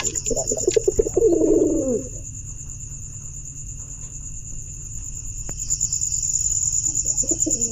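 A pigeon gives a deep, rolling, throaty coo lasting under two seconds, then starts another near the end, over a steady high insect-like hiss.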